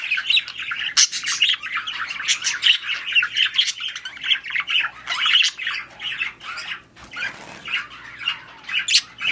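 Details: Mating and breeding budgerigars chatter steadily with warbling, buzzy notes and scattered sharp squawks over nearly ten seconds, with brief pauses.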